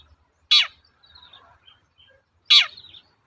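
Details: Two short scratchy shrieks two seconds apart, a long-tailed shrike heard in a lure recording meant to provoke birds into singing, with faint twittering between the notes.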